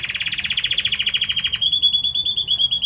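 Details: Belgian canary male serenading the female with a fast, steady, buzzy trill of repeated notes lasting over a second, then a long clear sustained whistle at an even pitch.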